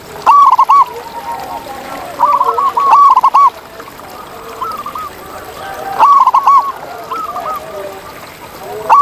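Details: Wild zebra dove singing in nature: bursts of short, hollow, arched cooing notes, each phrase a quick stuttering run followed by softer trailing coos. A fainter answering dove echoes in between, and the phrases return every few seconds.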